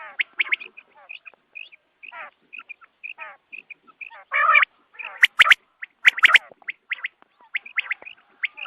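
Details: Quail calling in the morning for hunters: spaced single and paired chirps, then a loud harsh burst midway, followed by quicker sharp note clusters.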